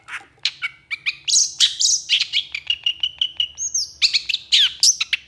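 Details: Long-tailed shrike song, a loud run of varied chirps, harsh notes and whistled phrases, very fast and irregular, with rising and falling slurs, a steady note around the middle, and no other clear sounds.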